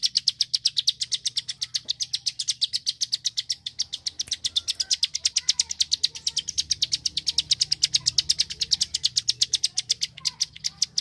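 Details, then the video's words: High, rapid, clicking song of a Bar-winged prinia, the 'klik' type from rice fields, played to tutor contest birds: an unbroken run of about eighty sharp notes over eleven seconds, evenly paced and steady in loudness. "Prenjak Klik Gacor Tembakan rapat"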